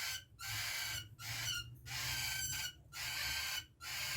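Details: Three-day-old cockatiel (Nymphicus hollandicus) chick making harsh, raspy hissing bursts, each about a second long, with brief pauses between them.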